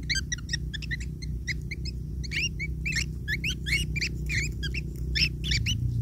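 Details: Long-tailed shrike chicks begging while being fed by their parent: dense, continuous, scratchy squeaks and harsh chattering notes in rapid overlapping bursts, over a constant low rumble of background noise.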